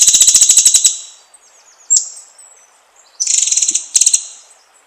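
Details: White-rumped shama song used as a lure to provoke other shamas into singing: a rapid buzzy rattle of high repeated notes, then a short sharp whistle and another burst of dense high trills.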